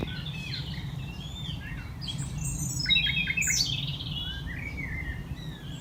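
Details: A male common nightingale sings at about 11 pm in May, in dense thicket at a West Sussex rewilding site: rich, varied phrases of whistles, rapid chirps and sweeping notes, changing every second or so, over a steady low rumble.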